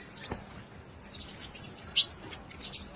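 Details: A single sharp click comes first, then a caged group of blue-crowned hanging parrots gives a continuous run of shrill, thin whistles with rasping accents.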